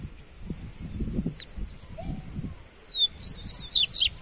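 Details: Papa-capim coleiro (Double-collared seedeater) singing as warm-up material: after a quiet stretch of low rustling, a brisk high twittering phrase of fast, looping slurred notes runs to the end.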